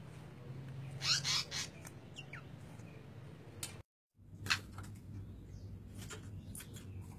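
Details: Asian paradise flycatcher (Terpsiphone paradisi) call: a few harsh, rasping notes in short bursts, a cluster early on and another midway, over a steady low hum and background rustle.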